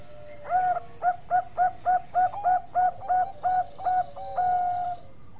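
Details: Bangkok-type zebra dove singing energetically, recorded as a tutor for training other birds: a rapid rhythmic string of about thirteen short, mellow coo notes at a steady beat, finishing with a sustained level coo.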